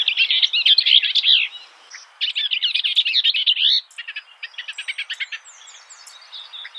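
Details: Eurasian skylark (Alauda arvensis), song.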